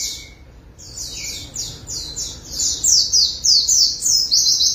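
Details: Very high, fast chattering from a bathed white-eye performing its ngalas song with beak wide open. After a short pause it builds into loud, rapid descending chirp sequences.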